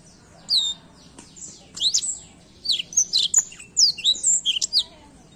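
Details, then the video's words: Black-throat song: a lively stream of high, sharp whistled notes and falling slurs, delivered in quick groups with brief gaps, growing denser toward the end. "a bela canção do pássaro blackthoat"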